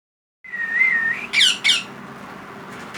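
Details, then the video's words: Baby parrot chick begging: a long steady whistled wail that wavers slightly, then two quick harsh squawking notes, ending in quieter room noise. "Baby parrot video 2021 chick Day parrot baby Sounds"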